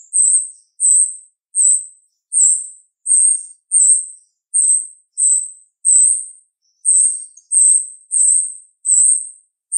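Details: High, piercing notes from a female jalak rio-rio starling, repeated steadily about every 0.7 seconds, each a short bright whistled chirp, making a regular sharp series.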